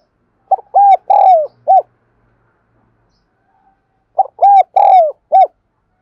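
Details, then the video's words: Spotted dove coo used as a lure and for training newly caught birds. Two mellow phrases of four hollow coos, the third note longest and falling. A silent gap of about two and a half seconds separates them. "Tiếng chim cu gáy dùng luyện giọng chim bổi và mồi chuẩn nhất"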